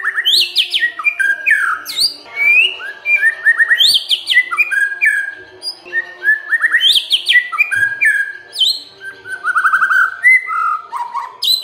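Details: White-rumped shama song played to provoke other birds to answer: dense, varied phrases of loud whistles, sharp upslurs and downslurs and short rattling notes, delivered continuously with hardly a pause.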